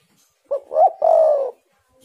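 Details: Lure song of a spotted dove meant to prompt caged doves to call: three low coos in quick sequence, a brief note, a swelling hooked coo and a drawn-out even coo, no other sounds.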